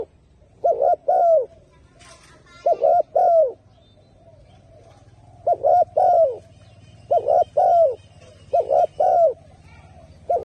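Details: Strong-voiced turtle dove cooing in a steady series of five paired phrases, each a quick rolling note and a drawn-out falling coo, with a brief scratchy noise near the start and a low hum throughout.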